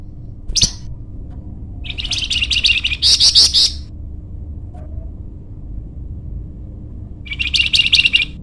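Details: Flamboyan bird song meant as a training or lure recording. One sharp chirp is followed by a dense, high twittering phrase of about two seconds, then silence, then another rapid chirping burst.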